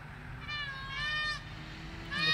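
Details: Indian peafowl giving drawn-out nasal calls, two harmonic-rich notes about half a second each, then a third starting at the end, over a low rumbling background.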